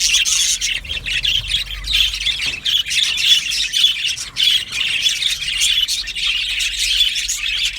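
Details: Budgie birds in an aviary, a flock chattering steadily, with harsh squawks and thin whistled chirps layered into a constant high chorus.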